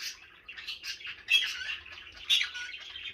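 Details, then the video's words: Young pet green-cheeked conure, a parrot said to speak 67 words in under a minute, giving quick scratchy chattering bursts with a few louder squawky peaks near the middle and end. "How Many Words Can This Parrot Say In Under A Minute? I Counted 67"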